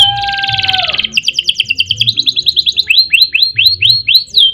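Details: Singing canary used as training material for other birds: a dense buzzy burst, then a fast rolling trill that breaks into a series of quick swooping whistles, over a faint low hum.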